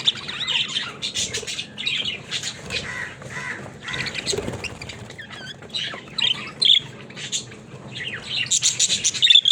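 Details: Pet budgies warbling and squawking in a long run of scratchy, chattering phrases, with short pauses and a few sharp loud chirps toward the end.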